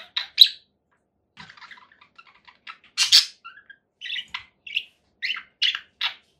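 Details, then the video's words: Separate conure parakeet calls: short loud squawks and clipped chirps with quiet gaps between them, one longer raspy burst in the middle. "conure parakeet sounds"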